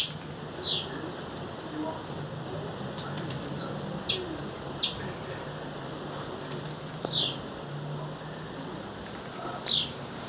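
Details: Female blue-black grassquit in the wild giving short, high, descending buzzy calls separated by pauses of a second or more, with occasional single chips in between.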